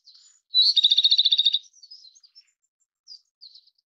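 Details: Japanese robin (Erithacus akahige) singing: a thin high opening note leads into a loud, rapid rattling trill of about a dozen even notes lasting one second, followed by faint scattered high twitters.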